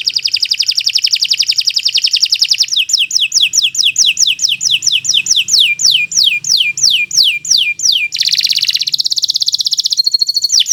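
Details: Caged Nusantara canary in full song for tutoring other birds: a fast buzzy trill, then a long series of downward-sweeping whistles repeated steadily, ending in another rapid rattling trill.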